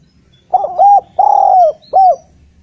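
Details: Eurasian collared dove song, played to lure spotted doves that rarely sing; one clear three-note cooing phrase, short then long sustained then short, steady in pitch and loud.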